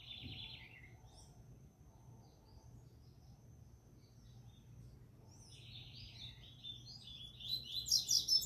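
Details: Double-collared seedeater (coleiro) singing in a bird singing tournament; a brief burst of high chirps opens, then from about five seconds a louder, rising run of buzzy, twittering notes, over a steady low hum.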